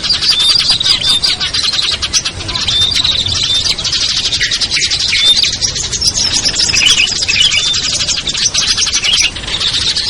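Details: Small-bird lure chorus for attracting birds that are slow to descend: rapid overlapping twitters, short whistles and sharp chips, loud and steady across the whole stretch.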